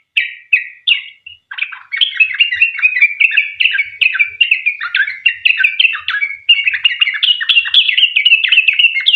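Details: Sooty-headed bulbul in vigorous long 'ropel' song, used as a lure to make other bulbuls sing and answer. Three short separate whistled phrases open, then a rapid, unbroken stream of bubbly, chattering notes to the end.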